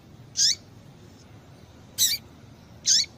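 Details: Female seedeater calls used to warm up males for singing: three short, piercing high chirps, each sliding downward at the end, spaced about one to one and a half seconds apart over quiet background.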